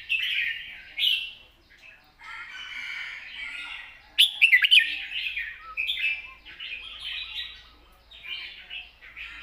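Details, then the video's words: Long, soft-voiced song of a red-whiskered bulbul in wild-style phrasing with chatter: drawn-out, slightly hoarse warbling phrases rising and falling, with a brief burst of sharp, bright notes in the middle. "เพลงยาว ปากเบา ร้อง+ริก /สำนวนป่าๆ"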